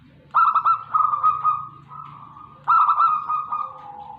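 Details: Local zebra dove from Tegal, Indonesia, singing: a stuttering burst of clear notes near one pitch flows into a sustained rolling coo, then the phrase starts again after about two seconds. Low background rumble.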